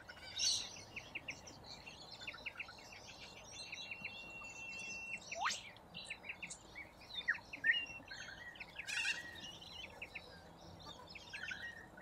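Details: Australian flock of corellas feeding on root grass: busy overlapping short squawks and chirps, one long descending screech and a loud broadband burst, with steady outdoor background noise.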